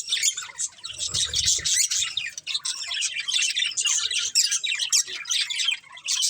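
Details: Pet budgerigar breeding pair and family: steady flow of bright chirps, squeaky warbles and quick chattering phrases, several birds calling over one another throughout.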